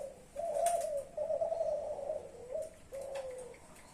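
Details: Spotted dove, a young Klantan bird from champion stock, giving clear mellow coos: a sustained hooting phrase, a short note, then a falling drawn-out coo, all low and smooth.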